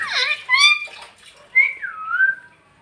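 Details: Pet parrot talking in Bhojpuri: a short voice-like harmonic phrase, then clear whistled notes that rise, dip and level off, in a quiet indoor setting.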